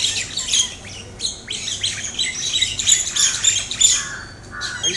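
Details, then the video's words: Two pairs of mynas attack each other until one pair flies off, squabbling in a harsh, continuous, irregular chatter of overlapping squawks, rasps and short whistles. "Mynas Fighting"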